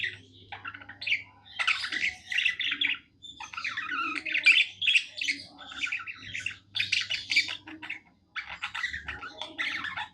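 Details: Happy tame budgie singing a long, rambling chatter of buzzy, clicking and whistled notes in phrases of one to two seconds with short breaks.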